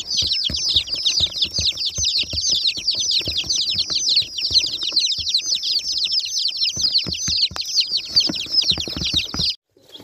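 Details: Many newly hatched baby chicks, dyed rainbow colours, peeping together in a dense constant chorus of high falling cheeps, with scratching, tapping and handling noise beneath, ending abruptly.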